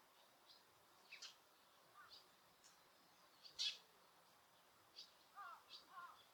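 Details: Birds calling in Osaka Castle Park, Japan, recorded with noise reduction: scattered short high chirps and a few lower, slurred notes, irregularly spaced over a faint hiss.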